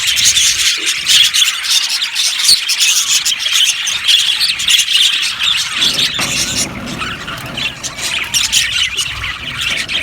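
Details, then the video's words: Budgerigars chirping in an aviary colony, high squeals and squawks layered in a constant noisy chatter that thickens near the end. "Budgies chirping sounds"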